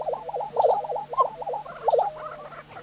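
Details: On a spring lek in New Mexico, displaying male lesser prairie chickens give a dense chorus of rapid, yelping gobbles, each note quickly rising and falling and repeated several times per second, with a constant low hum beneath.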